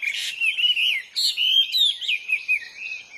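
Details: Hwamei in the wild delivering a continuous, varied whistled song of wavering, slurred phrases with short gaps between bursts.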